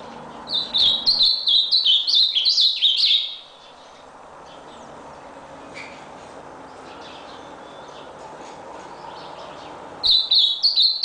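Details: Ultramarine grosbeak of the type called red nose, singing a rapid phrase of slurred whistled notes that jump between high pitches, about three seconds long, then a quiet gap before the same bright warbling restarts near the end.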